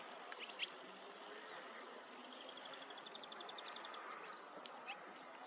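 Wood sandpiper giving a quick run of about fifteen high, clear notes that swell in loudness, over a steady background hiss and a few faint ticks.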